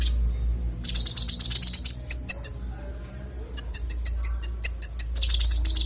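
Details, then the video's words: Konin with clear, varied song used to tutor songbirds: dense fast trills of bright high notes in long runs, pausing briefly, then resuming with rapid ticking series. "Konin bongkar isian suara jernih"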